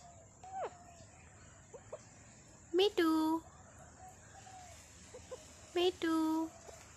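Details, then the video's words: Pet Indian parrot kept like a family member, talking: two loud, harmonic, speech-like utterances about three seconds apart, each a short rising note and then a longer steady one, with soft squeaks and faint background hiss between them. "Talking parrot"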